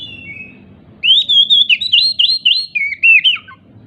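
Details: Oriental magpie-robin (kacer), excited and jumping, sings a loud run of clear looping whistles and rapid warbled phrases, ending in a falling slur, meant to trigger other magpie-robins into singing; faint thin notes before, low hum beneath.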